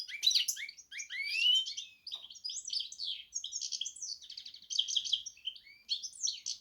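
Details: Hybrid goldfinch x canary with a varied, fast warble of rising whistles, chirps and rattled trills, delivered in short bursts.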